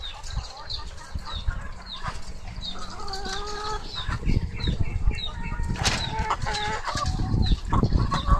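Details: Coop full of laying hens: repeated clucks and drawn-out squawks from multiple birds, some notes held and wavering, over constant low rumble and occasional wing flaps.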